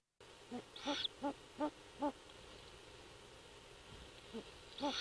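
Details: Great horned owl pair at an abandoned bald eagle nest 75 ft up in a dying pine on Skidaway Island, Georgia, second owlet hatching; male calls and female responds: five low, evenly spaced hoots, then two more, over faint hiss.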